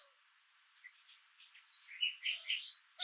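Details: A hungry female Long-eared Owl at her nest with three chicks about a week old, at night in late May around 10°C, begs her tardy mate for food with thin, squeaky, high notes that grow louder, over a soft steady hiss.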